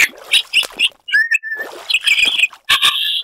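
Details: Superb lyrebird, a noted mimic, singing a varied medley of high chirps, a sliding whistle and dense buzzy bursts, separated by short clean gaps.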